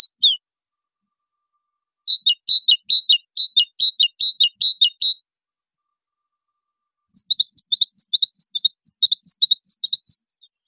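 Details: A great tit sings a short high phrase, pauses, then delivers a quick run of paired high-to-low notes. After a silence it switches to a second variant with a sharper rising first note. The two-syllable pattern repeats rapidly, with no background noise.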